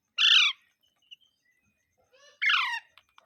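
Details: Two loud, raspy parrot squawks about two seconds apart, the second preceded by a soft low murmur, with faint clicks afterward.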